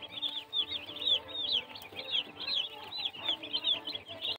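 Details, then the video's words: Young chicks giving rapid high peeps, each a brief downward-slurred note, crowded together continuously above a faint hum. "Baby chicks"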